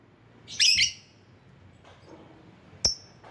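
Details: Lovebird used to lure rivals gives one grating, high squawk, a pause, then a single sharp, thin chirp against low background hiss.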